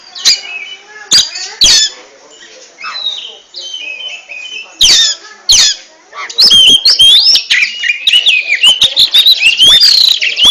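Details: Kacer, or oriental magpie-robin, singing ngentrok-style: scattered clicks and quieter warbles at first, then from about six seconds a dense, continuous stream of rapid whistled and chattering notes.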